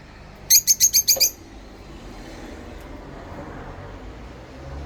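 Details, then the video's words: One of two pet rosy-faced lovebirds singing and chirping gives a quick run of six shrill, harsh chirps in under a second, followed by quiet room hiss. "Love Bird Singing And Chirping Sound// Rosy Faced Love Bird"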